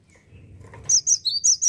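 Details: Cinereous tit, described as now rarely found in gardens, singing a quick run of six high, sharp whistled notes, each a clipped two-part phrase, after a quiet start with faint low background rumble.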